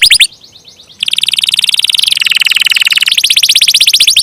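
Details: Long rolling canary song: a few quick down-slurred notes, a short pause, then a continuous dense buzzy roll that steps to new pitches twice while keeping its rapid pulse.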